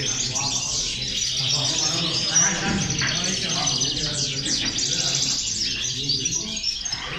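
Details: Group of European goldfinches singing together, a chorus meant to motivate goldfinches; bright overlapping twitters and trills run nonstop, with a brief lower murmur, possibly a voice, near the middle.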